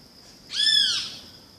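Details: Great kiskadee uttering one rough, slurred call that arcs gently down in pitch, with a steady high insect-like drone behind it.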